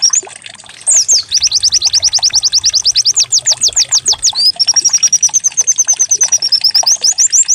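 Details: Decoy song of a white-eye for prompting singing: short high chirps, then a long rapid series of downslurred notes, followed by a thin even trill and rising chirps.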